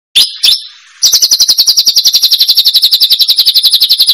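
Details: Caged white-rumped shama in a singing contest, fighting hard with full repertoire: two sharp notes, then a fast, even, high ringing trill repeated nearly four times a second.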